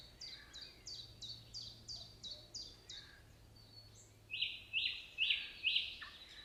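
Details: Nightingale song with a steady string of about eight crisp, high repeated notes, then louder, slurred whistled phrases descending in pitch, each spaced roughly half a second apart.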